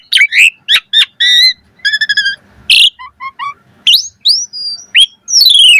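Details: Asian pied starling singing a rich, varied 'mompa' song. Quick rising chirps, stacked harsh notes, three low clear whistles in a row, then sweeping whistles that climb and fall.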